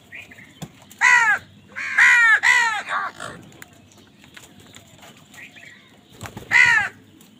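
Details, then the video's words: Crows fighting for food: loud, raspy caws given in a quick cluster of three or four, then a pause and one more harsh caw, over faint background hum. "কাকের ডাক Crow Sound Crow ki Awaz Loudly | Crow bird Fight for Food"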